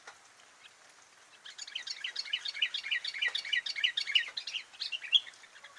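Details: Sooty-headed bulbul song beginning after a quiet start, becoming a continuous, dense run of quick chirping, bubbling phrases for the last four seconds.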